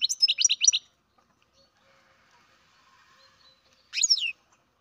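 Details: Captive-bred baby European goldfinch calling: a quick burst of five or six high, buzzy chirps, a pause, then a second short cluster of twittering notes; no other sounds.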